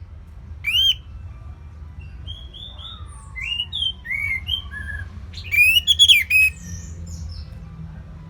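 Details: Orange-headed thrush, a kept songbird in Singaraja, North Bali, in ngeplong style: a loud, shrill whistled burst near the start and a louder cluster of sharp rising notes midway, with fainter scattered whistles between them.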